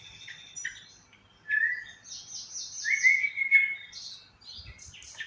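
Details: Sooty-headed bulbul (trucukan) being fed by hand: a run of short chirps, then a loud slurred whistle around the middle and a sustained bright note, with scattered high twitters; quiet background.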